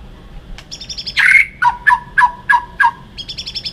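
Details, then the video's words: White-rumped shama fighting song for training: a fast trill of high ticking notes, a loud harsh burst, then several paired notes dropping from middle to lower pitch, ending in another rapid high trill. "chòe lửa hót đấu"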